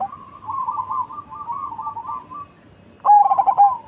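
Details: Cemani zebra dove, big-bodied and deep-voiced, gives a long soft trembling coo for over two seconds, then one loud burst of quick pulsed coos ending in a drawn-out note.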